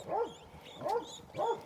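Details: Guineafowl, adults looking after a baby bird, give short, arched, nasal calls repeated about every two-thirds of a second.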